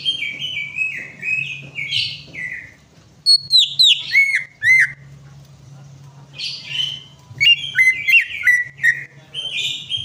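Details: Greater green leafbird song used to prompt a bird that has gone quiet: varied warbled phrases and chirps, a burst of loud, sharply falling whistles midway, then more mixed chattering notes, with a steady low hum throughout.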